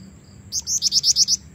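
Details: Energetic lure call of a female black-winged flycatcher-shrike meant to attract males: seven high, even, rapidly repeated notes, each a short rising slur, lasting under a second.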